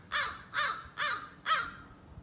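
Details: A young American crow practising scolding and territorial calls gives four harsh, grating caws, about two per second, in quiet surroundings; adults apparently recognise it as a youngster and never react.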